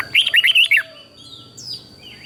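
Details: A red-whiskered bulbul from Thailand sings a southern master-style phrase, used to make other bulbuls lively and to teach chicks. Five or six fast, rich warbled whistles pour out in under a second, followed by soft distant chirps.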